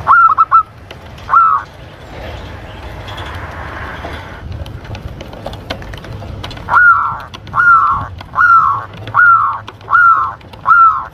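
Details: Zebra dove from Lampung, recorded as a clear lure call for trapping and for tutoring doves to stimulate breeding urge: downslurred cooing notes, some in quick pairs, repeated about once a second, with a noisy rumbling stretch midway.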